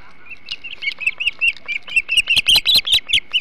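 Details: Osprey at a nest on Hog Island during a large flounder feed, 21 July 2016: series of sharp chirped whistles repeated rapidly, building louder and higher toward the end, with a steady tonal hum in the background.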